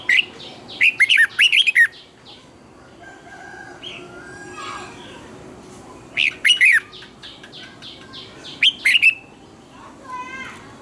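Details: Training lure song of a red-whiskered bulbul singing in the morning with twisted double notes: a long rippling run of bending whistles, then two short phrases, with faint softer chirps between.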